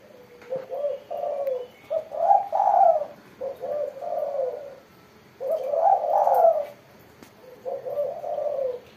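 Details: A spotted dove in lively 'gacor' form sings in the crisp 'mersik' voice style. It gives soft, low, rolling coos grouped into phrases, with pauses of about a second between them, in a quiet setting.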